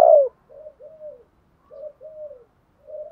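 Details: Spotted dove coo for training newly caught birds. One loud short note opens, then softer paired low coos follow, each pair a brief note and a longer slurred one, repeated at intervals of about a second.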